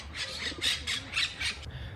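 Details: Parakeets in the trees of a peaceful Athens city park by the Zappeion garden, where clumps in the trees are their nests, give about five harsh, grating screeches in quick succession, roughly three per second, over a faint murmur of people.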